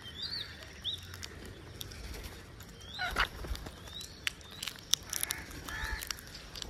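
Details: Parakeets chatter while eating, in brief, scattered high chirps and squeaks, with sharp clicks and some background rustle.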